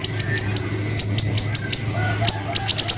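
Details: White-rumped shama recording for training songbirds: sharp high downslurred whistles in quick clusters, irregularly spaced, over a steady low hum.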